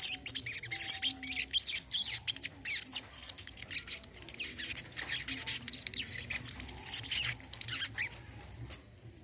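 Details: Olive-backed sunbird, a recording played as therapy to get a silent bird singing: a dense run of thin, high-pitched twittering chirps, near-continuous with brief pauses, over a faint low hum.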